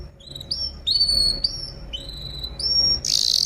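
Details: Canary song on a recording meant to teach other birds: short, clear whistled notes, several rising, spaced about half a second apart, followed by a sudden harsh buzzy burst.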